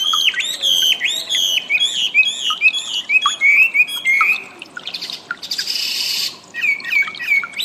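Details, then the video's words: Training audio of a wambi for cage birds: fast chirped notes roughly ninety a minute, then smooth sliding whistles, a burst of hissing noise, and more whistles at the end. "suara burung wambi"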